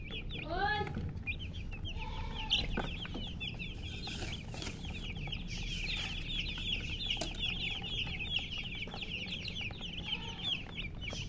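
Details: Baby chickens chirping continuously, a dense chorus of rapid high peeps with a few louder, longer descending cheeps standing out, over low background rumble.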